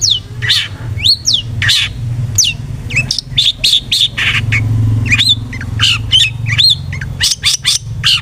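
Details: Long-tailed shrike song meant as a lure to make the bird sing aggressively: a varied run of sharp slurred whistles and short harsh chatters, with steady low rumbling noise beneath.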